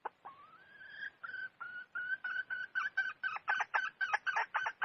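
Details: Wild junglefowl hen call: a drawn, rising tonal note steadies into a run of short clucks that quicken and grow louder, about four per second, with a quiet background.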